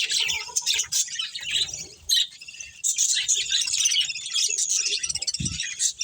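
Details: A budgie colony holding a breeding pair, sounding rapid bright chirps and squeaky warbles, a short lull just before two seconds, then dense chatter resuming with a faint low thump near the end.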